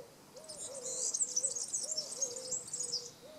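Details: A European serin at Praia do Vau, Algarve, Portugal, sings a fast, high, jingling stream of tinkling notes, while a low hooting or cooing call repeats about twice a second underneath.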